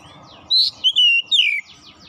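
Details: Short oriental magpie-robin phrase of four rich whistled notes, the longest a level sustained tone, the last sliding downward, over a low murmuring background.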